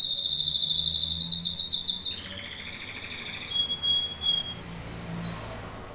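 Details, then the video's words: A domestic canary (Serinus canaria) sings a fast, bright rolling trill, then shifts to thinner whistled notes and quick short chirps. "Canto do CANÁRIO DOMÉSTICO"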